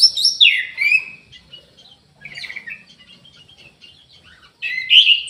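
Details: Orange-headed thrush singing vigorously: a loud burst of sweet, slurred whistles sliding down from high to mid pitch, a quieter stretch of soft scratchy notes, then another strong rising whistled phrase at the end.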